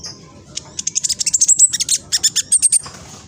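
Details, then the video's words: Juvenile black sunbird (king konin) from East Java, Indonesia, singing on a phone recording to provoke other king konin into song: a fast, shrill run of high chirping notes in quick, uneven bursts with thin whistled tones. "PANCINGAN KING KONIN TROTOL AMPUH BUAT KING KONIN LAIN CEPAT BUNYI"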